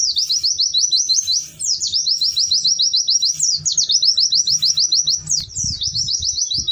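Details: White-eye singing loudly and melodiously: high, rapid trills of slurred chips repeated in bursts of one to two seconds, each begun with an accented note, over a soft low hum.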